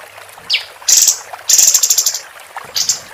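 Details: Female capped white-eye, recorded for tutoring contest birds: a single rising chirp, then two very high, dry, rattling trills each lasting about half a second, and a final brief chirp.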